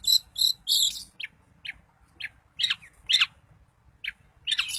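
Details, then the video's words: Daput-type long-tailed shrike, song aimed at provoking other shrikes: a few harsh buzzy bursts, then spaced short sharp notes sweeping downward, some louder and rougher, with quiet gaps between. "Cendet Manapun bakal GACOR dan EMOSI dengan kicau Cendet Daput Ini"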